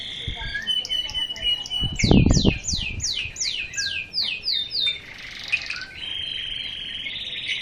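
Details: Local canary, pure local stock, singing: high buzzy trills, a series of quick descending sweeps, then a sustained trill, with thumping low knocks in the background partway through.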